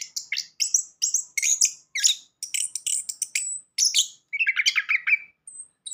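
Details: {'caption': 'Song of an orange-headed thrush played to coax a mute bird into singing: quick bursts of high whistled and chirping notes, ending with a lower warbled phrase and a few thin notes.'}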